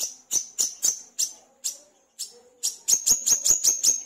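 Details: Olive-backed sunbird, known locally as wiceh, manggar or kolibri kelapa, singing vigorously (gacor) as a lure: sharp, very high chipping notes, some spaced and some in a quick even run near the end.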